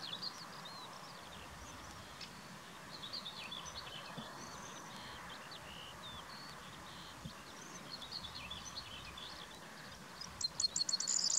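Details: Corn bunting at the Valleberga viewpoint, a coastal nesting site, on 23 June 2020, gives a brief, high, dry jangling burst of rapid notes near the end, over steady outdoor noise with faint scattered chirps.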